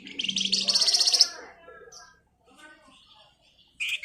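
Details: Javan white-eye delivering a dense, rapid ngebren song burst used as a lure for training songbirds. It gives a high, fast chattering trill of just over a second, then soft twitters and a short sharp note at the end.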